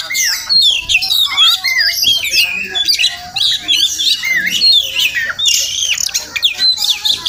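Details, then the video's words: Each morning a wild Oriental magpie-robin visits a home; here it sings a lively, varied phrase sequence of loud whistles, slurred warbles and rapid chirps with short pauses. "Crazy Sounds of Village Magpie Birds"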